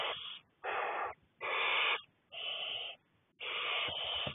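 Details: Six barn owl chicks in the nest, being fed by a parent on 2 May 2020, give harsh, hissing wheezes about half a second long, roughly one a second, with quiet gaps between them.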